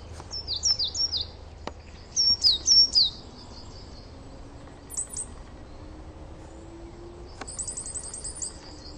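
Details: Coal tit in a garden giving varied song: two high downslurred double notes, then louder sharp descending whistles, a lone high chip, and finally a fast fluttering trill of very high notes over soft background noise.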